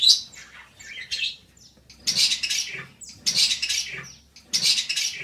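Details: Dense budgerigar chatter: long buzzy, grating bursts mixed with squeaky whistles, each rasping phrase lasting about half a second.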